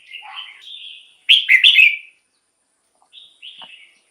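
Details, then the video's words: Song of a red-whiskered bulbul used as a decoy and to rouse caged birds; soft warbling, then a loud quick three-note whistled phrase, followed by a fainter short whistle. "เสียงนกกรงหัวจุก สำหรับต่อ หรือ เปิดให้นกคึก เสียงเพราะๆ"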